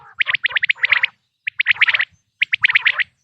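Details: Quail sound for hunting: three short bursts of rapid high chirps, the first with a low rasping undertone, separated by clear silent gaps.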